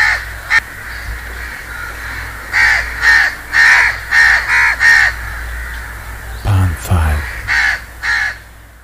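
A house crow gives about nine harsh, nasal caws in quick bursts, roughly two per second, with a brief low thump partway through.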